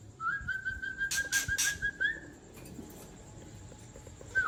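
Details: Harsh 'trek kasar' song of a mature wild white-rumped shama from Tangse, played to provoke rivals: a long, steady, trilled whistle broken by three loud grating bursts, then a faint pause and a new rising note.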